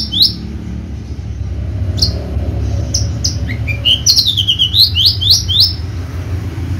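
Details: High isolated sweeps from a caged Javan Horsfield's bushlark, a competition singer, lead into a rising twitter and a chain of fast curling whistles, sung above a constant low hum.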